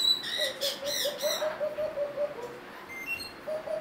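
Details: A happy female Hyacinth macaw at a parrot rescue gives soft, wavering, hollow tonal notes, including one drawn-out note. A brief harsher, scratchy burst comes early on, and a few faint higher chirps follow.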